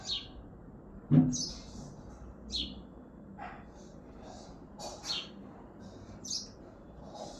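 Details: A house sparrow on a balcony in Hazaribagh, India, in the morning, giving short, bright chirps every second or so, some doubled, over a low background hum with one loud knock near the start.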